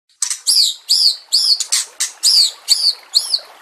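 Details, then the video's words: White-rumped shama song used as a master recording for training birds: seven loud, clear, arched whistled phrases, each a rising-then-falling note topped by sharp high chips, repeated about every half second against a quiet background. "Masteran murai batu TERAMPUH yang di pakai semua burung juara"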